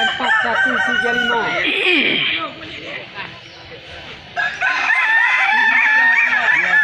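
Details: Balenggek roosters at a crowing festival in Kota Solok: a dense run of bouncing, stepped crow notes, a sharp falling sweep, a quieter gap with chatter, then a renewed chorus of overlapping crowing.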